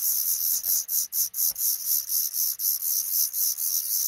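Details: Under the roof over a front door, a black redstart pair raises five newly hatched chicks; dense, rasping high-pitched calling in rhythmic pulses around twice a second, with brief gaps between bursts.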